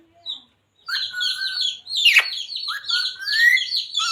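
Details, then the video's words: Pet parrot chattering in speech-like mimicry, with phrases such as mummy papa and radhe radhe; a quieter, continuous warbling stream of buzzy syllables with a brief harsh rasp in the middle. "Parrot talking radhe radhe | Parrot talking jai shree ram | Parrot talking sita ram | Mummy Papa"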